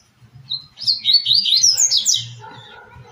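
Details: Double-collared seedeater, Tui Tui song style used to teach captive birds: a brief high note, then a fast, rising cascade of bright slurred chirps that fades into a soft low hum.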